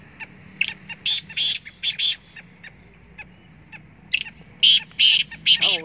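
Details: A black francolin calling from the top of a rock gives harsh, grating phrases of several clipped notes, repeated in bursts with short pauses; a faint low hum sits underneath.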